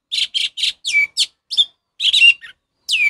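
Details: Orange-headed thrush singing in the 'ngeplong' style, used to train caged birds that have gone quiet; loud, rich, harsh notes in a steady series, several ending in a falling whistle, with short gaps between phrases.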